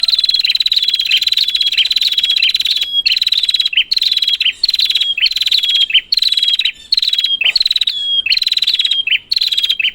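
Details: Prinia calls used as a lure to rouse a silent bird: buzzy ticking bursts, each ending in a high level whistle, repeated roughly every 0.8 seconds without pause, with no other sounds.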